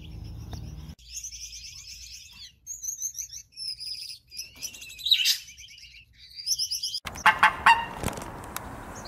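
Gouldian finches twittering: quick bursts of thin, high chirps repeated over several seconds, ending in a rush of broad noise.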